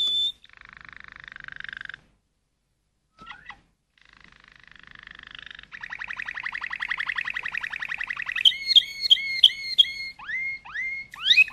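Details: Malinois canary opening with a short whistle and a low soft trill, a pause, then a quickening rolled trill rising into loud repeated swooping whistles.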